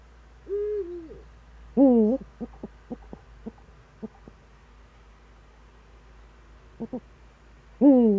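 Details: Eurasian eagle-owl, Eifel, morning of 26 September 2013. A steady, gently falling tone is followed by a loud, rich, wavering call. Scattered short clicks and pulses fill the gap before another harsh call closes the sequence.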